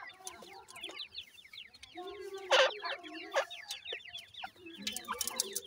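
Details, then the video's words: A grey francolin brood with adults; rapid high downslurred peeps continue throughout, joined by lower, soft clucking tones and two loud sharp bursts in the middle. "grey francolin teeter and chicks,dakhni titer k baby"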